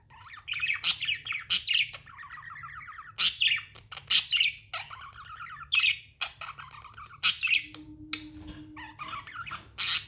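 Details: Tamed budgies chirp and warble, loud squawk bursts alternating with rippling pulsed chatter, and a brief steady low tone appearing near the end, all over a faint electrical hum.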